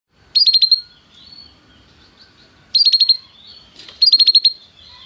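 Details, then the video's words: Canary song played to encourage a caged canary to sing: three short bursts of rapid high trills, each about half a second, separated by quiet gaps with faint background hiss. "toque imediatamente esta espetacular canção do canário"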